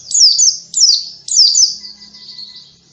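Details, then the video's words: Pleci, a white-eye kept as a songbird, sings three high, sharp phrases about half a second apart, each a quick descending slur, fading into a softer, sustained thin twitter. "PLECI HERCULES"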